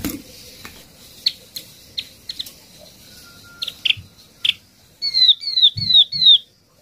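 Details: Yellow-eyed babbler lure call used to attract the flock: soft clicks and ticks, then four loud, clear whistled notes, each sliding downward, given in quick succession near the end.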